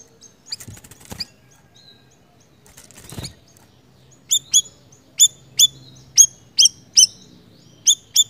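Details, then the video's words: A siri-siri bird singing actively. A few rustling, wingbeat-like noises come first. Then come evenly spaced, sharp, high chirps at about two to three per second, over a faint low hum. "Suara Burung Siri Siri Gacor"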